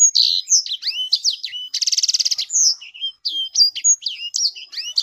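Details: Kept sanger bird singing lively, high slurred whistles, with a loud rattling trill of about a dozen rapid pulses in the middle before the twittering resumes.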